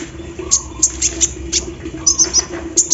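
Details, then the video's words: Morning-dew session of a kolibri ninja sunbird in lively song imitating an embroidery machine: sharp, very high chips and brief trills in irregular bursts, against a soft continuous hum. "KOLIBRI NINJA GACOR SAAT DI EMBUNKAN PAGI HARI ISIAN MESIN BORDIR"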